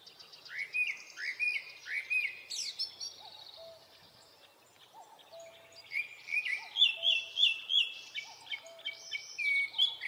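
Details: Japanese thrush singing through a Hokkaido forest in early summer, Nikon Coolpix P950: rising whistled slurs repeated in sets, a pause, then rapid bright fluting phrases; soft lower two-note calls from another bird repeat underneath.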